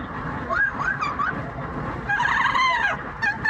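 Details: Singing yellow-naped amazon parrot, a pet on the daily commute: looping up-and-down whistled swoops followed by a loud, arching, harmonic-rich wail, with car noise in the background.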